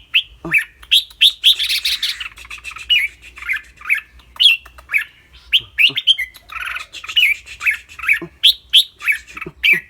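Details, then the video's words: Red-whiskered bulbul kept in a cage, clear-voiced, mixing song with rik-rik chatter. Rapid bright whistled notes and squawky bursts repeat steadily for ten seconds, with a rough, noisy passage around the second second. "นกกรงหัวจุก เจ้าขวัญโชค เสียงใส ๆ ทั้งร้องทั้งริกๆสะใจๆครับ"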